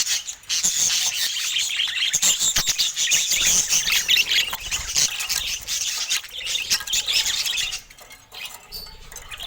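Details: Colourful pet budgerigars chatter constantly in a thick mix of high warbles, scratchy notes and clicks, dipping briefly before picking up again at the end.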